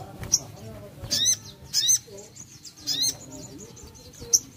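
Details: Sogon, or crested jay, heard in short, sharp, bright chirps and buzzy flicks, about four spaced bursts over a few seconds, with a soft, wavering high trill running between them and faint low murmuring underneath.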